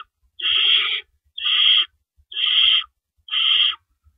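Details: Owls at a nest before dawn on April 4, 2012, as rabbits are delivered and removed. Four loud, breathy screeching hisses come evenly spaced, about one per second, each lasting around half a second.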